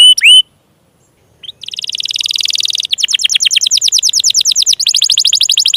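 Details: Canary song used to coax lazy or young canaries into song: a brief looping whistle, a pause, then a steady rolling trill that grows into fast repeated falling notes, clean and high.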